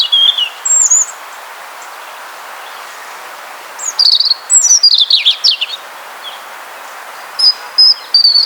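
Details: European Robin in Poland singing an evening song of short, high, silvery phrases of thin trills and twiddles, each separated by a pause of a second or two; nothing else is heard.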